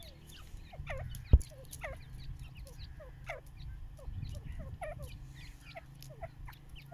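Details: Young chicks enjoying the sunshine: many thin, downward-sliding peeps overlap in a loose, busy chorus, with a sharp knock early on and a constant low rumble underneath.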